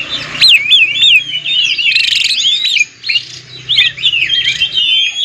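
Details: Provoking song of an oriental magpie-robin, meant to trigger other magpie-robins to sing: continuous high twisting whistles and scratchy warbles, a short buzzy burst near the middle, then more looping whistled notes, with a faint low hum beneath.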